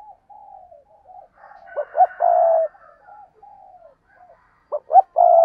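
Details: Spotted dove giving soft, low, slightly falling coos in a steady series, broken by a few louder clipped hoots and a faint higher rustle in the background.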